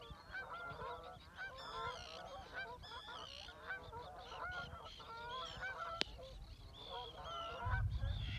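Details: Flock of Canada geese flying over water at Reveln, Stornäset, Alnö, Sweden, on 7 August 2022, departing south; steady chorus of overlapping nasal honks, several per second, with a sharp click midway and low wind rumble at the end.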